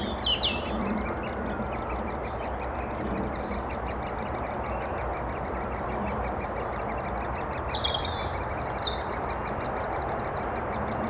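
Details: Adult great spotted woodpeckers bring food to chicks in Thurrock woods, 20 May 2014, recorded on a FinePix HS50EXR. High, regular ticking notes run nonstop at a quick pace, with brief whistled phrases from another bird and steady background hiss.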